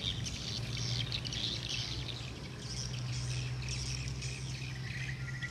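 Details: Swiftlets returning to their roost, heard as a dense, overlapping mass of high, thin chirps and twitters, with a steady low mechanical hum underneath throughout.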